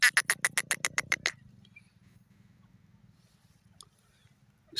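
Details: Teetar francolin delivering a fast series of eight or nine harsh, rasping pulses that ends abruptly after a second, followed by quiet with a faint background hum.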